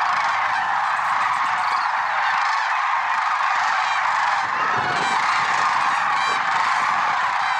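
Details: Lesser sandhill cranes at Merced National Wildlife Refuge in early morning, February 6, 2023. A dense, unbroken chorus of many overlapping rolling, honking calls from a large flock, steady in loudness throughout.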